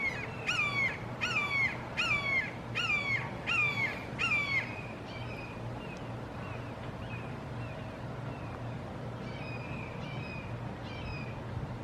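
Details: Red-shouldered hawks calling emphatically in a Florida backyard, three birds together; six loud ringing downslurred screams in quick succession, then fainter, more distant answering calls trail off over steady low rumble.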